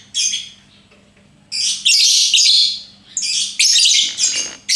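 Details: Pet lovebird, whose owner seeks how to make it sing the long ngekek song, giving harsh, high chattering bursts in four or five loud spells separated by short pauses, over a faint low electrical hum.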